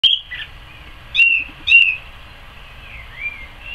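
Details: Song thrush singing in a garden in May, 12 May 2014: a loud whistled note, then clear, separate whistled phrases and slurred notes after pauses of about half a second, with quieter, softer notes near the end.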